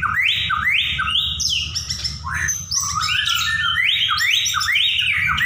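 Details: Nonstop song of a white-rumped shama in the 'nyaut' style, a series of upswept whistles repeated roughly twice per second with rich varied phrases between, against constant low-frequency hum.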